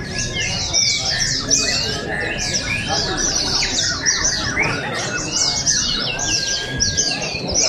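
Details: Open bird singing competition in Sarawak, 2023, with many oriental white-eyes: an unbroken chorus of high, fast, downward-sweeping chirps over a steady low rumble of crowd and ambient noise.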